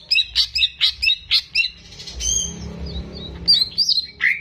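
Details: Greater green leafbird, a caged bird recorded as a tutor for young birds, giving quick repeated chirping notes about four per second, a pause with soft background hum, then more high whistles and chirps.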